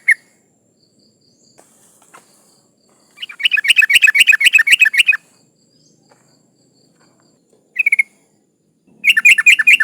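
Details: Sooty-headed bulbul female in breeding condition calling to males, used as a lure: a long fast rattling series of twenty-odd sharp chattering notes, a short pair of notes later, and another rapid series at the end.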